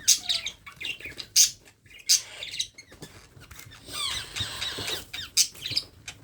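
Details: Baby parrot being hand-fed, giving harsh, raspy squawks in short bursts, some with fast rattling chatter, repeated irregularly over several seconds, with soft handling noises in between.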